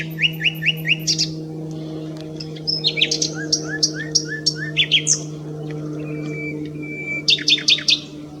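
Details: A nightingale at S'Albufera delivers rapid repeated upslurred notes, then varied chirps, a run of short rising whistles, a long level whistle and a final burst of sharp clicks, over a low drone.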